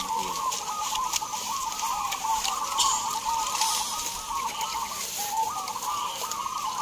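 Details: Local zebra doves in a singing contest in Gunung Kidul, Yogyakarta, Indonesia: a steady band of bubbling, rolling coos from many birds, with looping phrases repeating across the whole stretch.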